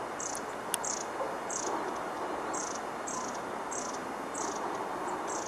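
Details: Long-tailed tit at Lake Tanzawa, Japan, recorded 16 March 2014: thin, very high, short calls repeated roughly every half second to second, about nine in all, over a steady rushing background noise.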